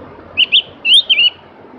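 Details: Javan grey-throated white-eye, locally called cak gentong, singing a melodious song: two short bright whistled notes, then a longer wavering warble and a final trill-like phrase, all high and clear over faint background hiss.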